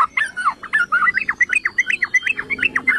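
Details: Yellow-vented bulbul, called trucukan or cerukcuk, song played to provoke rival bulbuls into song: a quick string of bright, slurred liquid notes, roughly one to two per second, rising and dipping in pitch.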